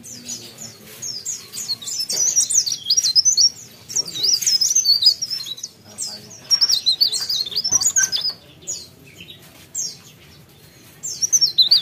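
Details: Lively mountain leaf warbler song in several high, rapid bursts of jagged, twittering notes, each burst lasting one to two seconds and separated by short pauses, with faint voices and low rumble behind.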